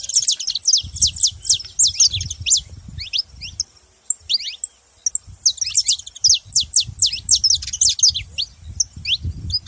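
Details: Saffron finch producing loud, rapid strings of high chirps, each falling steeply, in two dense bursts separated by a short lull, with low rumbling noise underneath.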